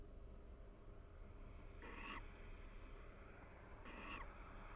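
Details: A mated pair of barn owls in a University of Florida nest box exchanges quiet calls while grooming each other in the breeding season. Two brief raspy bursts sound about two seconds apart over a low background hum.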